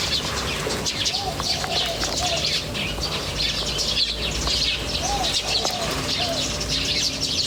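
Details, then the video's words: Outdoor birds chirping together: thick, fast high-pitched twitters fill the clip, with brief soft looping lower whistles recurring every second or two over a constant low hum. "The chirping of birds in nature is very relaxing"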